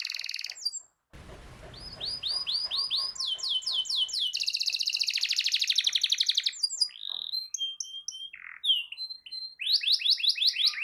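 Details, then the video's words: Canary singing to encourage a silent canary to join in: long varied song of repeated down-slurred whistled notes, dense rapid trills and sharp chips, strung together with barely a pause. "Terapi Ampuh Burung Kenari Macet Dijamin Langsung Ikut Bunyi II Masteran Suara Burung Kenari Gacor"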